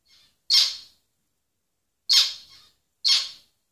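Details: A faint soft note, then three loud, buzzy, nasal zebra finch calls, the first two about one and a half seconds apart and the third a second later, with quiet between them.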